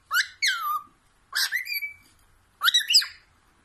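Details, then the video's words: Caged pet cockatiel reacting to playback of other cockatiels singing, giving three groups of whistled, downslurred and upslurred notes with rich harmonics, each lasting under a second, separated by silence. "cockatiel bird singing and talking"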